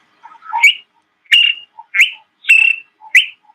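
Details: A played recording of a honeyguide call, heard on safari, likened to "Victor Victor Victor": a bright, slurred whistle repeated about five times in under four seconds, with soft lower notes between the whistles.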